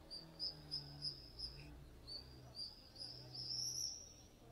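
Common swifts give shrill, thin screams in quick bursts, several a second, high-pitched and piercing over a faint low background hum.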